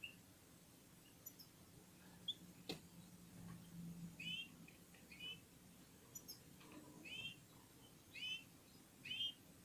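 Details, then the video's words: Red-fronted serin (Serinus pusillus), linked to Central Asia, singing in unison with other birds: scattered short chirps and bright curved notes, some clustered, over a low steady hum, with a single sharp click. "Попели поели и опять попели в Унисон Красношапочные вьюрки"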